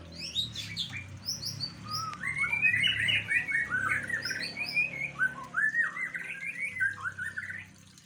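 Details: Fighter-type white-rumped shama delivering a long varied song of rapid warbled whistles, mixing high thin notes with a looping mid-pitched run of quick rising and falling phrases, over a steady low hum.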